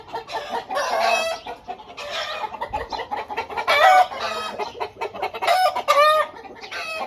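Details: Several home-bred Aseel roosters crowing at once. Overlapping, harsh crows rise and fall repeatedly over a steady background of clucking.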